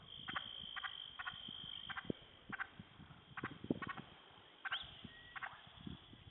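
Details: Wild turkey hens, alarmed by a poacher's repetitive calling on a hill at sunset, give short clucking notes every half second or so, some doubled. Low thumps and rustling noises sound underneath.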